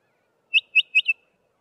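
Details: Bokmakierie near Trumpeter's Drift, Grahamstown, gives four quick, ringing whistled notes, the last two close together, over about half a second, the call its name comes from.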